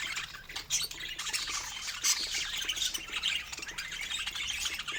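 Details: Pet budgerigars feeding on fruit, with an unbroken stream of high chirps, squeaks and scratchy warbles, plus a few louder sharp peaks.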